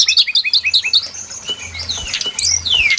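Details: Brown-chested jungle flycatcher lure song for trapping: a quick run of short rising chirps repeated about every tenth of a second, then long sweeping whistles falling in pitch, over a low pulsing hum.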